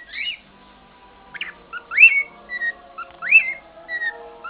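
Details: Senior pet cockatiel, kept indoors, whistling a mangled version of the Andy Griffith theme as it sings all day. Clear rising whistled sweeps and short level notes come in phrases about every 1.3 seconds over a faint steady hum.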